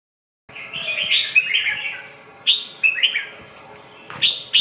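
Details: Red-whiskered bulbul kept by a Vietnamese bird keeper, delivering a run of bright warbled phrases that sweep and bend around the upper-middle range, loud bursts at irregular intervals over a faint steady hum.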